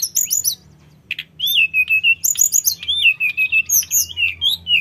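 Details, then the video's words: Nonstop mountain sooty-headed bulbul song, used to get untamed bulbuls to answer: bright high chirps, a short gap, then a lively run of clear whistled notes at about two a second over rapid upper chirping. "Suara tledekan gunung full gacor‼️100% bikin tledekan bahan cepat nyaut"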